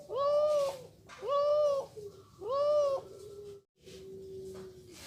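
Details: A young male spotted dove, about three months old, gives three mellow, arched coos about a second apart, then a lower, flat, drawn-out note; the room is otherwise quiet.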